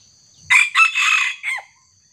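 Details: During a trapping session with a small decoy rooster, a young wild junglefowl crows harshly: a sharp opening note, a long rough middle phrase and a brief dropping end, all within about a second and a quarter.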